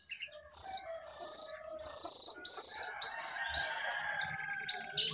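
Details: A jongkangan singing from the top of its cage gives loud, buzzy, high bursts, each about half a second long, then a fast trill of quick repeated notes.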